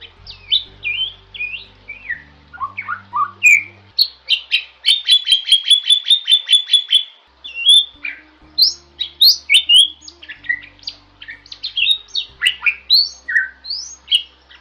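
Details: Bali myna masteran song: varied whistles and squawks give way to a rapid, even trill-like run of about twenty repeated notes, followed by more varied sliding whistles and chatter.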